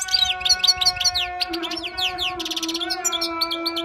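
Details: Wild European goldfinch song for tutoring: a rapid, liquid twitter of high slurred and rising notes, with a short buzzy flourish midway. A constant low hum runs underneath throughout.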